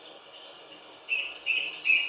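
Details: Thrush nightingale singing: a few thin high whistles at first, then three louder, harsher notes in quick sequence, faint against a quiet background.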